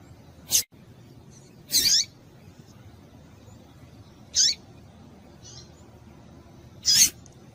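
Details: Female Double-collared seedeater calling, a call used to stir males into singing: four short, high, sharp chirps at irregular intervals, some sliding downward, with fainter notes between over a steady low background hiss.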